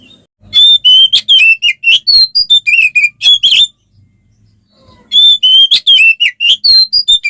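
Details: Fighting song of a kacer (oriental magpie-robin), aimed at provoking other males: two bursts of quick, loud, varied whistles and sweeps, separated by a gap of about one and a half seconds.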